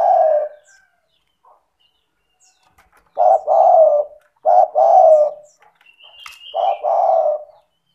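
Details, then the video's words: Lively 'gacor' spotted dove used to coax lazy doves into calling: one coo ends at the start, then three low two-part coo phrases, short note then longer hollow note, with a brief high whistle between. "Pancingan bunyi suara burung tekukur gacor cocok untuk terapi tekukur malas bunyi"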